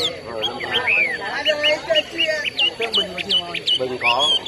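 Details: Chinese hwamei at an inter-provincial bird singing competition between Lào Cai and Phú Thọ, held in Lào Cai city, Vietnam: loud rich whistled phrases, repeated looping upslurs and rapid notes, with a man's commentary underneath.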